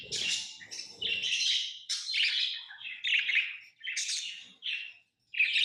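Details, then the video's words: Tamed lovebirds chatter in harsh, raspy chirps, short bursts coming about every half second, a low rumble at the start and a brief silence near the end. "Love birds Sounds | lovebirds chirping sounds| parrot beautiful sounds"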